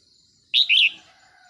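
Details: Wild Red-whiskered Bulbul drawn in by a decoy bird in the morning, agitated and excited; one brief loud burst of two warbled, slurred whistled notes, with faint high background tones.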